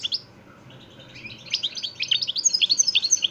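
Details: Jilguero (European goldfinch) of the parva de Montijo line, Extremadura, singing nonstop: a quiet start building into rapid, tinkling high twitters at about four notes per second.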